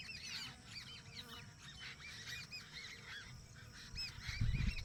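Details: Village birds in a noisy chorus of high, curved chirping notes overlapping continuously, with low rumbling background and a louder thump near the end.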